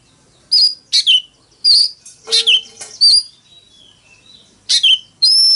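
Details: Oriental magpie-robin in fighting song: scattered sharp whistled notes and short downward slurs, one harsher buzzy note, separated by quiet pauses.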